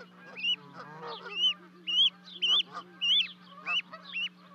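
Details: Canada goose parents and two goslings at Charlo, Montana, 12 May 2020, after the goslings jump from a 30-foot-high nest: loud rising-then-falling honks about twice a second, softer chatter between them, constant low hum beneath.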